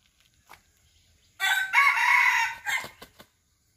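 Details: Small Serama chicken crowing: a loud, harsh, sustained cry of just over a second, trailing off in a few broken notes, with soft ticks before it.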